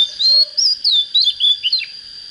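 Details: Oriental magpie-robin, young and just coming into breeding condition, delivering a continuous varied string of sweet whistled notes, some rising, some dropping sharply, with a faint low note early on and a steady high whine.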